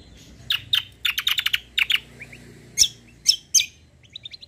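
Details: Kecial (white-eye) lure song meant to draw answers: clusters of loud, harsh high chips in quick groups, a few spaced sharp notes, and faint thin rising twitters at the close.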